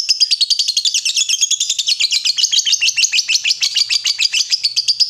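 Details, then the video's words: Lovebird singing loudly to draw other lovebirds to answer; unbroken fast stream of shrill high twittering notes, about six per second, wavering up and down without pause. "Pancingan Lovebird Gacor Burung Lakbet apapun pasti Nyaut Ngekek"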